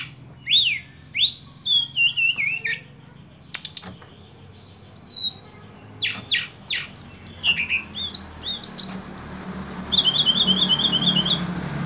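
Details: Sunda robin, locally called tledekan gunung, singing a varied run of high whistled phrases: rising and falling slurs, descending trills, sharp rapid notes and a wavering high warble, broken by short pauses.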